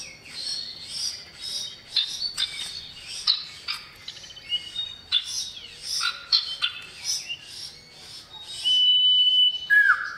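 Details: Lively chattering and twittering notes from a male common iora calling a female, ending with a short level whistle and a downward slur.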